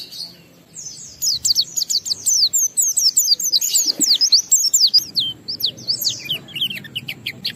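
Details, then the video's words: Used to coax other white-eyes into singing, this Oriental white-eye song starts after a short quiet moment, then pours out a long, rapid stream of high, slurred whistled notes, some dipping sharply, steady and lively throughout. "Pleci Bahan Segera Ngalas Nembak dan Bongkar isian setelah diperdengarkan pleci gacor ini"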